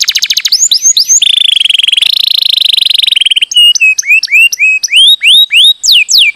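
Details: Canary song meant to prompt inactive canaries to sing: a quick trill, a long sustained buzzy phrase, then repeated upward-curving whistled notes spaced about half a second apart.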